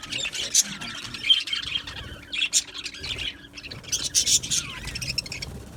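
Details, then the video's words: Australian budgies in an aviary give bursts of scratchy chirping and squeaky chatter separated by brief lulls, with a few short rising whistles. "Beautiful Australian Budgie birds Chirping Sounds"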